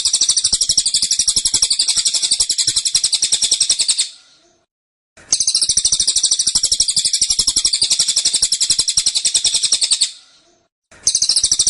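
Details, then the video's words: Cililin kept in a cage, singing a dense, insistent tembakan song. Long bursts of fast, shrill pulsed trilling last about four to five seconds each, separated by short pauses. No other sounds are heard. "Tembakan Cililin Suara Rapat Dan Ngotot"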